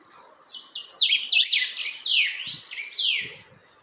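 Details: A chalchalero, or Creamy-bellied Thrush, firming up its song with a rapid string of bright, slurred whistles dipping and rising in pitch, delivered in two bursts over a few seconds, with soft low knocks in the background.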